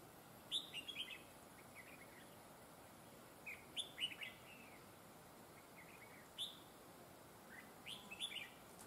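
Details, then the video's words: Red-whiskered bulbul decoy singing during trapping, its voice praised as excellent with double linked phrases: repeated short, lively warbled phrases of whistled and chirped notes every few seconds against a steady noisy background. "Bẫy chào mào GIỌNG CỰC HAY CÓ GIỌNG KÉP NỐI"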